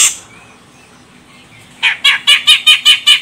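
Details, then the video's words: Female grey-cheeked bulbul of the Medan, Sumatra type, calling as a lure to make males sing: a short harsh burst, a pause, then about seven rasping, chattering notes in a quick, slightly uneven series. "Cucak Jenggot Medan Betina Ini Bikin CJM Jantan langsung Koar Koar"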